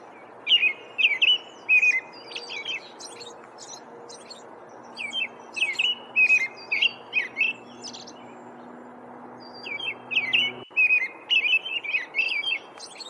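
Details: American robin (Turdus migratorius), song.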